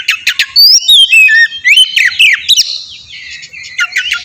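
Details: Kacer, the oriental magpie-robin, singing a lure song to provoke answering birds: fast, loud whistled slurs rising and falling, interleaved with sharp clicks and buzzy chatter, delivered without pause.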